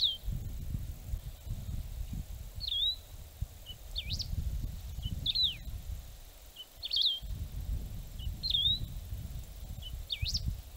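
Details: Wedge-tailed grass finch (Emberizoides herbicola) singing short, high, looping whistled phrases, repeated about every one and a half seconds over a steady low rumble of wind.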